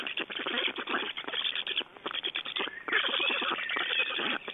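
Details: Black stork chicks at a nest in Estonia, 8 June 2012, calling while an adult brings large fish: dense, harsh, raspy begging calls repeated rapidly and almost without pause, several voices overlapping.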